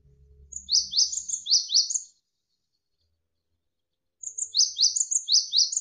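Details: Javan sparrow, tutor recording for training birds: two rapid series of shrill, falling chirps interleaved with high thin notes, separated by about two seconds of silence.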